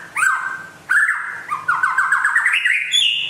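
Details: Rare white-rumped shama from West Aceh, singing vigorously: a long clear whistle, then a quick run of rippling, stepped notes that climb higher toward the end, with a faint low hum underneath.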